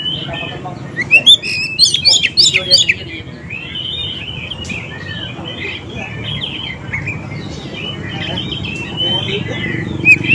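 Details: Lure recording of Oriental magpie-robin song meant to make wild or silent birds reply: a quick run of sharp, high chattering notes early on, then a continuous warbling stream of whistles.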